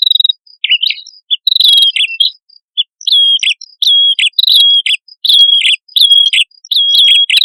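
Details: Lively song of a male and female prinia (prenjak kepala merah) used to lure birds: clean whistled chirps, each falling then levelling, repeated in quick series with brief pauses, and a faint steady high tone behind.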